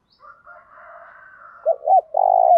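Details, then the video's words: Spotted dove in the 'thổ đồng' voice, used to spur males to answer and fight back. A faint, higher hum comes first, then two short notes and a loud, long, steady coo. "Chim cu gáy giọng thổ đồng thúc dút bổi nghe nhanh đấu lại và nổi nhanh tróng"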